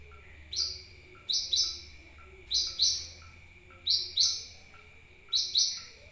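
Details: Sunbird lure call used to attract birds: sharp, high, paired chirps repeated about every one and a half seconds, each with a quick upward flick, over faint background hum.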